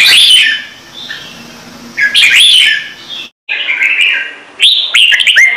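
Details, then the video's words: Red-whiskered bulbul delivering a full song meant to prompt newly caught birds to sing. Several loud fluty phrases of rising and falling whistles, with a sudden silent break before a final run of quick chirps. "CHÀO MÀO | Trung Mang hót giọng chuẩn cực hay - Bổi nghe là hót"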